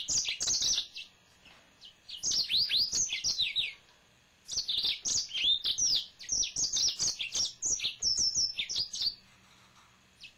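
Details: Male yellow-fronted canary kept at home delivers long runs of quick, high, warbling chirps and slurred whistles in three bursts, with brief gaps between them.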